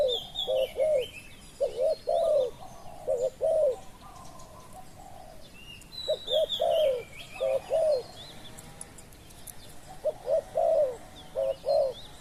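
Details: Spotted dove used as a decoy to lure wild doves, giving low mellow coo phrases: two short clipped notes then a longer drawn-out falling coo, repeated in three bursts. Faint higher chirps from other birds sound behind.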